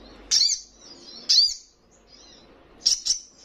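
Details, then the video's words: Fledgling spiderhunter, vigorous and vocal, giving two sharp high chirps one second apart, then a quick double chirp after a short pause. "Sogon trotolan paling gacor"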